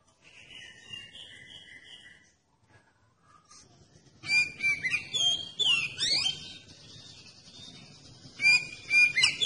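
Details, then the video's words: Oriental magpie-robin song played to incite other magpie-robins to sing: faint paired whistles at first, a short gap, then a loud dense burst of sliding and chattering whistles, followed later by further whistled notes. "Kacer Anda Bisa Langsung Nyaut dan Gacor Pakai Video Kacer Pancingan ini"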